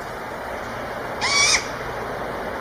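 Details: An owl gives a single short, harsh, rasping screech lasting about a third of a second, rising slightly then breaking off, set against a steady background hiss.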